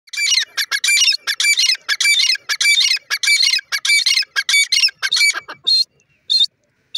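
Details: Francolin, called irani teetar, giving loud harsh grating calls in rapid repeated bursts, several per second, then a few short squeaky notes as it falls quiet.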